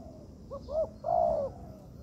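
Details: Spotted dove in an artificial training yard giving a single coo phrase: two soft short notes rising in loudness, then one longer steady hollow note that fades.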